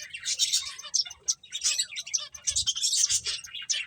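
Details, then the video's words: While eating, finches keep up a lively high twitter, rapid chirps rising and falling in loudness in short waves across the clip. "Cute Birds Chirping Sounds | Beautiful Finches Eating"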